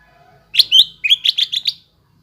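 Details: Greater green leafbird song played to stimulate a bird that has stopped singing: after a faint hum, a brief burst of about seven sharp, bright chirped notes in quick succession, some slurred upward.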